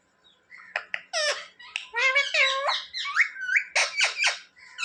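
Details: Talking parrot kept as a pet chattering a fast run of squeaky, speech-like syllables and clicks, some rising in pitch, for several seconds in a small room.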